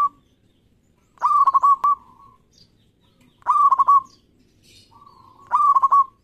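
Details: Local zebra dove, auditioned as a keen singer, repeating its cooing phrase three times about two seconds apart: a few rapid stuttering notes ending in a drawn-out, level coo, in a quiet setting.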